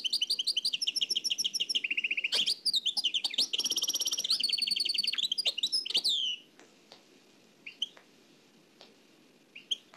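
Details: Cassette-sourced nightingale singing in the Oued El Alleug style: about six seconds of dense repeated notes and fast trills, some high and buzzy, then near silence with a few faint soft clicks.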